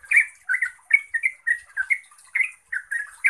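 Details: Clear, fast 'ngeropel' song of a yellow-vented bulbul, used to make other bulbuls answer. Rich bubbly chirps repeat roughly every quarter second in an even stream, with a quiet background.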